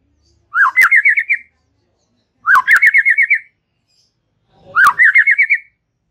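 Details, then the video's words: Three evenly spaced rattling trills from a white-rumped shama in relaxed chatter, each a quick upward flick followed by about six rapid notes, roughly every two seconds. "Ocehan SANTAI Murai Batu"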